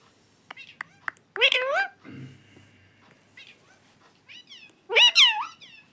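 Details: Pet parrot talking nonstop in a small room: two loud harmonic voiced calls that rise then fall, a low murmuring human voice between them, and faint clicks.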